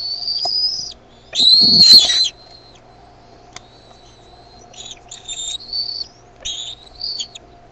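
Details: Bald eaglets calling in the nest while the mother brings food and one chick spreads its wings; a loud high whistled squeal, then a brighter harsh burst, followed by a thin trailing whistle and short choppy chirps.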